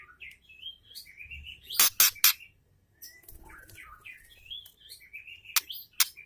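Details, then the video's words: Calling female white-rumped shama, used to provoke a male into singing: varied whistled phrases and twittering notes broken by three loud harsh bursts, then more sweeping whistles and two further harsh notes. "MURAI BETINA GACOR AMPUH UNTUK PERANGSANG MURAI JANTAN"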